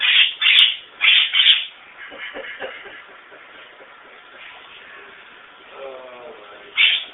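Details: A pet monk (quaker) parakeet being trained to fly back on command gives loud, harsh squawks in quick bursts, then a quieter stretch and one more squawk.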